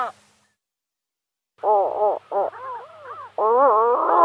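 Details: Pallas's gull giving loud, nasal, harmonic laughing calls in short bursts after a silent pause, some notes rising and falling, the last call drawn out; no other sounds clear.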